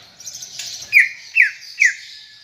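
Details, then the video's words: Greater green leafbird in energetic gacor song, three loud, clear whistles that each slide steeply downward, spaced about half a second apart over a faint background of thin high chatter. "Ocehan Cucak Ijo Gacor untuk Pancingan Bunyi"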